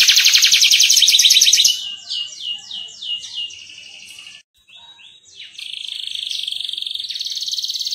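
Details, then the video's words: Atlantic canary in vigorous 'ngerol' song, used as a training recording for young canaries. A loud rapid trill breaks into a series of slurred sweeping notes, a short pause, then a long fast roll to the end. "Pancingan Kenari Gacor Suara Jernih ~ Masteran Ampuh Kenari Paud agar Cepat Gacor Ngerol"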